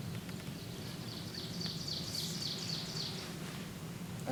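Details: Ovenbird, the most common breeding warbler at Hawk Mountain Sanctuary, singing in spring in a backyard: a quick run of repeated high, ringing 'teacher teacher' phrases over a low rumble of outdoor background noise.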